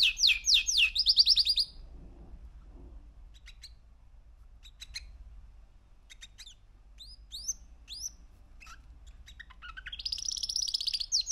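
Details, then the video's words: Three-month-old male canary sings rapid rolling trills, broken by scattered sharp chirps and quick upslurred notes, with a low steady hum underneath. "Kanarya Sesi 3 Aylık Erkek Canary"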